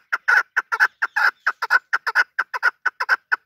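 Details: Desi chukar partridge used for hunting, calling in quick chuk-chuk clucks, some doubled, in a loud, close, fast rhythm over a quiet background.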